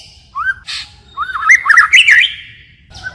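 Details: White-rumped shama singing in forest style with constantly changing phrases: a brief upslurred whistle, a pause, then a rising run of rich warbled and chattering notes ending in a short whistle.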